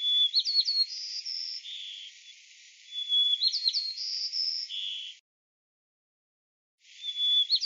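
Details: Sparrow giving a clear whistled phrase: a short rising note, quick sliding whistles, then long steady high tones ending on a lower held note. The phrase repeats after about three seconds, and a third begins after a short silence.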